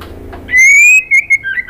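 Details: Female white-rumped shama calling for a male: one loud clear whistle held and slowly rising, then two brief bright notes and a dipping slurred ending.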